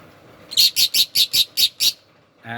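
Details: A pet rose-ringed parakeet, recorded while talking and bathing, gives seven harsh, high squawks in quick succession, about four a second, followed by a brief low voice at the end.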